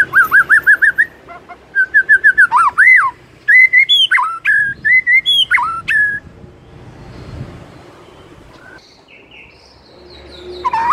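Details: White-rumped shama in the morning, played to get a quiet bird singing loudly: a rapid trill of repeated looping whistles, then swooping and level notes for six seconds, then softer distant calls.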